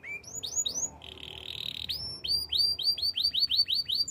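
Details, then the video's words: Belgian canary training song: short rising whistled notes in quick runs, a brief buzzy steady tone in the middle, then a fast series of bright upslurred chirps repeated about three times a second. "Canary training song - Belgian canary singing"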